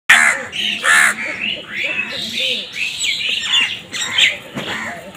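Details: Several crows calling at once, with harsh, overlapping caws and squawks that tumble over each other without pause. The crows are described as fighting over food.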